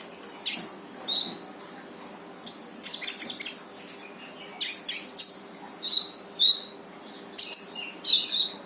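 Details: Brown-throated sunbird song meant to get a reluctant bird to sing along: bursts of high, thin chirps and sharp twittering notes in short clusters, separated by brief quiet gaps over a faint background hum.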